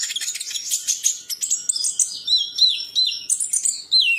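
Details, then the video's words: High, busy masteran song of a champion bird mixing harsh chatter with clear whistled notes that wind up and down, finishing on a long descending slur. "MASTERAN BURUNG JUARA"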